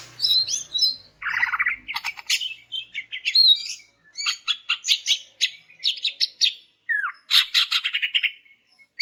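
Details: Female cucak ijo (greater green leafbird) calling males, used to make silent males sing: varied whistled slurs, a low buzzy burst, then repeated rapid trills and chattering phrases.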